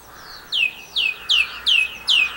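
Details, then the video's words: Song thrush, Campbeltown, April 2012: five loud, clear down-slurred whistles repeated in quick succession, evenly spaced at just under half a second. "Song Thrush Singing, Campbeltown, April 2012"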